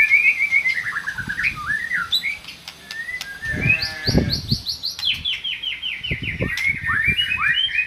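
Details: Song of a white-rumped shama used to stimulate a mute shama: descending whistled phrases, rapid runs of high falling notes repeated in quick succession, with some low thumping in the background.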